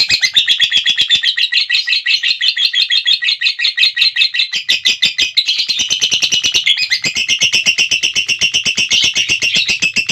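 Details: Lovebird in long-duration ngekek, a continuous rapid chattering trill of high, shrill notes pulsing about twice per second, held unbroken through the whole stretch with slight shifts in pitch.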